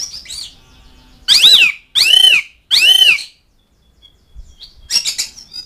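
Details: Asian pied starling calling out to mates and rivals: three loud, harsh, ringing squawks in quick succession, followed by brief softer chatter.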